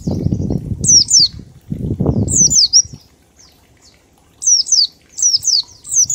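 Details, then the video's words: Oriental white-eye ngalas song, a 1234-beat lure meant to draw quick singing and mimicry; high downward-slurred double whistles come in clusters, first alongside loud low rustling or fluttering bursts, then clearer in a rapid run near the end. "Pleci Ngalas 1234 ketukan untuk pancingan bunyi"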